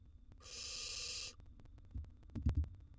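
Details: Wild barn owl nestling in a monitored nest box, during a meal of a large gerbil: one harsh, breathy hiss lasting about a second, followed by soft low thumps and shuffling, over a steady electrical hum.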